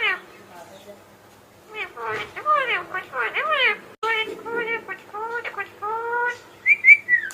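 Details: Talkative pet Indian ringneck parakeet mimicking speech: a string of distinct imitated words and phrases with bending pitch, short gaps between them, ending in a higher whistled note, in a quiet room.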